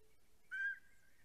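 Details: One drawn-out, slightly rising whistled yelp from a greater spotted eagle pair on their snowy nest in Estonia, nest camera recording, 14 April 2020, fading into a thin lingering tone.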